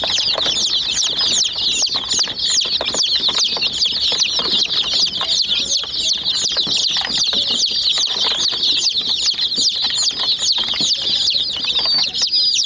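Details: Many chicks pecking at a white miniature toy jeep produce a long, unbroken chorus of high, thin peeps, busy and overlapping. Rapid clicking pecks run all the way through.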